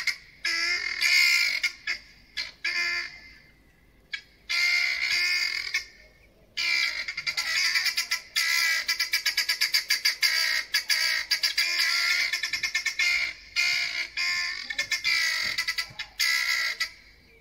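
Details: Two helmeted guineafowl that landed on a neighbour's deck give loud, harsh, grating calls in rapid rattling bursts, almost without pause, for about five minutes.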